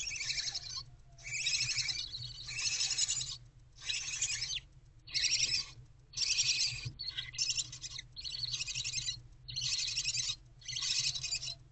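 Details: Several wild barn owlets alone in their nest box around 4 am, 11 February 2024, with the mother off on a break, give steady rasping hisses, each about a second long, following one another with brief pauses.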